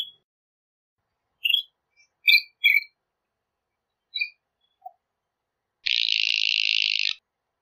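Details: Northern shrike giving a few short chirps and squeaky double notes, then one long, loud buzzy note lasting over a second.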